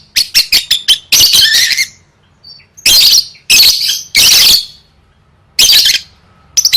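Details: A lovebird prepared for singing competitions starts with a quick string of five sharp chips, then loud buzzy chatter bursts separated by pauses of about a second.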